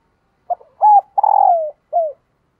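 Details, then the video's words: Female dove calling to excite males, giving a short series of soft, low coos: a brief note, a steady hum, a longer rolling coo falling at its end, then a final falling note. "Tiếng Chim Cu Mái Kích Trống"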